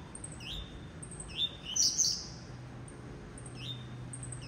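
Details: A blue-black grassquit repeats its upslurred whistled note, with one loud buzzy high flourish in the middle. A faint low hum runs beneath.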